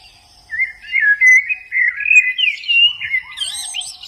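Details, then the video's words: White-eye singing in the wild: a run of high, quick twittering warbles with rising and falling slurred notes, continuous and bright, ending in higher squeaky notes. "Suara burung Pleci dialam bebas"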